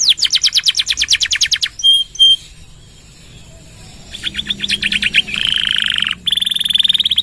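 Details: Canary singing long 'nembak' rolls, kept as a master song for other birds. A rapid high trill and two sharp whistles are followed by a quiet gap. Then comes a faster buzzy trill, a steady rolling note and a closing trill.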